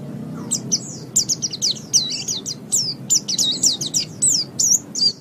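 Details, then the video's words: Caged-bird training song of a white-eye, meant for morning or evening use. Rapid, jumbled high twitters, about three notes a second, mixing rising and falling slurs in a lively, irregular chatter. "Masteran Terbaik Pleci Mata Putih"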